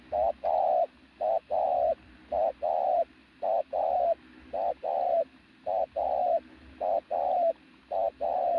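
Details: Decoy pigeon with a very loud coo delivers a long regular run of paired notes, a brief coo followed by a longer slightly falling one, repeated roughly every second for over eight seconds.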